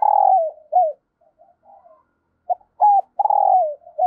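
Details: Spotted dove used as a decoy, cooing to lure new wild birds: deep, full coos with drooping ends, a long note, soft murmurs, then a fresh run of short and long coos.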